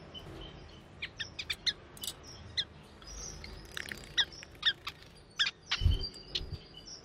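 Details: Male and female Timor zebra finches recorded 4 January 2020: quick bursts of sharp nasal chirps and squeaky notes, clustered irregularly, several in close succession near the end, with a low thump and background hum.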